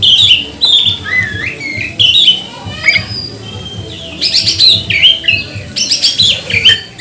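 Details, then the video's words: Kacer, the magpie-robin, pouring out a provoking lure song: bright whistled phrases with sharp upslurs and downslurs, bursts of dense chattering notes in between, and a soft low hum running underneath. "Kacer mana yang gak mau gacor, buka ekor, bongkar emosi dengan pancingan kacer ini"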